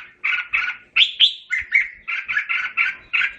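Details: Red-whiskered bulbul calling the flock with a steady chain of rounded, throaty chirps, two brighter rising whistles near the start, repeated at a quick even pace.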